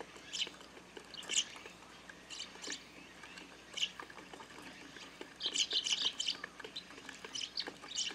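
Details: A large flock of Eurasian tree sparrows gathered noisily at a feeder on a garden grape trellis in the countryside, pecking at food and sometimes squabbling. Bright, short chirps come in scattered bursts, thickening into a busy cluster toward the end, over soft background hiss.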